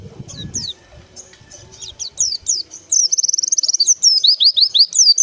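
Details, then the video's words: White-eye (pleci) singing. Very high, thin chirps sweep downward, first scattered, then running into a fast, busy twitter of sliding notes over the second half, with faint low rustling at the start. "KICAU PLECI"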